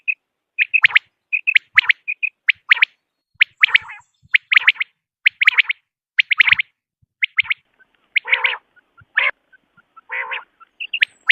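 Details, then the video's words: Common quail recorded as a hunting lure: a long run of sharp triple-note phrases, some led by soft pips, with a few harsher, lower buzzy notes near the end. "بٹیر کی اواز 1 گھنٹے کی Quail Beautiful voice"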